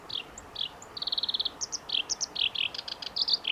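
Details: Black-browed reed warbler singing at the Kita-Fuji training area, Japan, on 16 June 2019: a fast, varied chattering run of short buzzy and clicking notes, including a quick rattled series of ticks, mixed with higher squeaky chirps.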